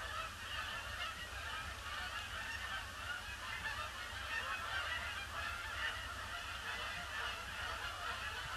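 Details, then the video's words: Seemingly unending stream of Canada geese circling a pond before landing, grey Boxing Day; steady wall of overlapping honking with no pauses, over a low constant hum. "Huge influx of Canada Geese"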